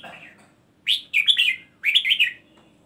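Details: Red-whiskered bulbul singing the song style called gulung double / daba: two bright, liquid warbled phrases of quick rolling notes, each under a second, separated by a short pause, with a soft low hum beneath.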